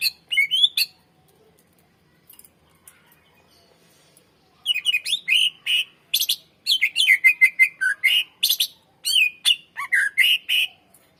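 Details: Greater green leafbird in full song, meant as a lure for training other birds: a brief phrase, a pause, then a long rapid outpouring of whistles, trills and scratchy chatter.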